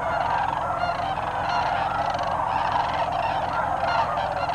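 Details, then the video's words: Many sandhill cranes calling together at Bernardo Waterfowl Management Area, north of Socorro, New Mexico, in 2008; overlapping rolling trumpet notes form an unbroken chorus, loud and steady throughout. "Sandhill cranes, Bernardo, New Mexico 2008"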